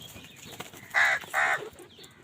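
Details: Two harsh, drawn-out caws in quick succession from a crow fighting for food, with faint chirps behind.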